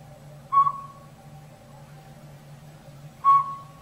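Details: From woods behind a house, a Northern Pygmy-Owl no bigger than a robin, nesting in a rotted tree's old sapsucker hole, gives two clear, hollow single-note whistles nearly three seconds apart over faint low background hum.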